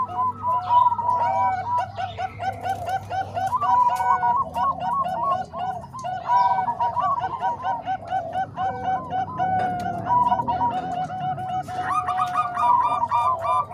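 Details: Combined Bangkok and Cemani Kolbuntet zebra dove voices used as a training recording for other doves: dense, continuous overlapping coo phrases of short arched notes, with a brighter, higher cluster of notes near the end.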